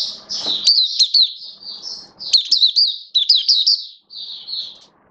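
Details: Kept oriental white-eye singing in build-up form, recorded 19 September 2022: rapid high chirping twitter in several bursts of quick slurred notes, a soft thump and rustle near the start.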